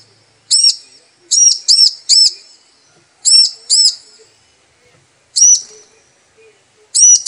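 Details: Female bar-winged prinia calling to the male, used as a lure sound to get males singing: high, bright arched chirps, given singly, in pairs or in a quick run of three, with short silent gaps and a quiet background.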